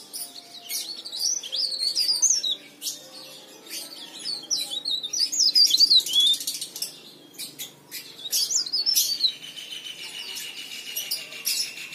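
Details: Chatty leaf warbler song used as a lure for other birds: bursts of high, zigzagging twittered notes repeating in short phrases, with sharp clicking sounds scattered throughout.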